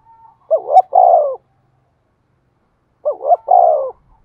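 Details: Decoy spotted dove cooing to provoke wild doves into calling: two phrases about two and a half seconds apart, each a quick double hooting note followed by a longer, slightly falling coo, in a quiet background.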